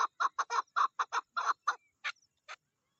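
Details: Female chukar partridge, mating season: a quick cluster of thick, grating chuk notes followed by two thinner, higher squeaky calls before falling quiet.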